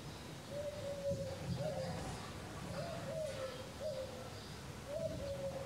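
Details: European turtle dove, the first of spring 2020, heard during lockdown in the Malilla district of Valencia, Spain, giving soft, low purring 'turrr-turrr' phrases in short bursts every second or so over a faint rumble.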